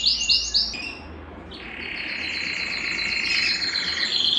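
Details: Belgian canary song for stimulating males and bringing females into breeding condition: three quick bright chirps, a lower soft roll, then a long loud, layered trill that climbs slightly in pitch.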